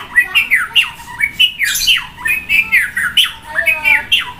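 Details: White-rumped shama, a caged bird set out to sun beside a busy road, singing loud, varied phrases: rapid rising and falling whistles and buzzy notes, repeated in quick bursts about twice a second with harsh overtones.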